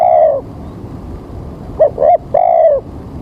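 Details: Spotted dove calling at a trapping site early in the morning before rain: a long low coo ends one phrase, then two short hooting notes lead into another drawn-out coo.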